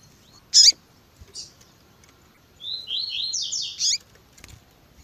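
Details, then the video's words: Double-collared seedeater with female piping calls used to rouse males: a loud isolated chip, a faint buzz, then one phrase of rising slurred whistles ending in a sharp high note. "COLEIRO TUI TUI ZEL ZEL COM PIADO E CHAMANDO DE FÊMEA MUITO QUENTE CHAMANDO E MACHEANDO MUITO."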